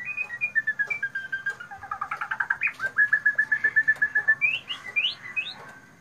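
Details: White-rumped shama singing loudly and clearly: sliding whistles give way to a long, even train of rapid repeated notes, finishing with several sharp rising whistles.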